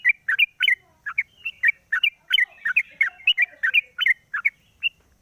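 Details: Sooty-headed bulbul kept in a cage, morning singing with the cage cover opened, a lure recording: dense chatter of sharp chirps and quick upslurred double notes, several each second across the whole stretch.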